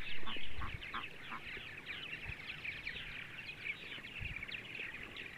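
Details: Several purple martins on a sunny Sunday morning in central Ohio chatter together in a steady stream of gurgling, overlapping chirps, with a few low thumps from wind or handling near the start.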